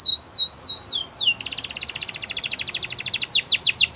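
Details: High downward-sliding whistles repeated in a slow row, then a long fast trill of sharp notes, closing with quick falling swoops, from a canary performing a training song.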